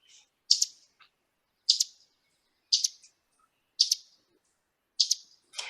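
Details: Ovenbird (Seiurus aurocapilla) chip calls: sharp, high chips about once a second, each a distinctly two-part note, with a faint buzzy sound at the end.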